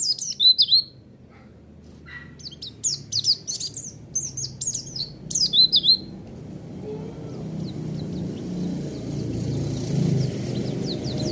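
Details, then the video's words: White-eye song played as a lure to provoke a response: bursts of high, thin chirps and slurred notes over the first six seconds, then a rising rushing noise with faint distant twitters. "Pancingan Suara Burung Pleci"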